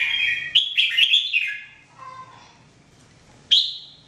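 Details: Red-whiskered bulbul song from 2017, meant for training: an opening run of rippling, whistled notes for about a second and a half, a soft lower note, then a single sharp rising whistle near the end.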